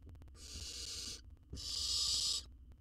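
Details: Wild baby owl being fed a jird in an Israeli research nest box produces two long, rough, breathy hisses, the second louder, against a quiet humming background.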